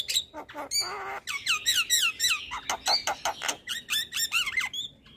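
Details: Javan myna song played to coax lazy birds into singing: a fast run of repeated downward-slurred whistles at a steady quick rhythm, framed by scratchy chatter and a few sharp clicks.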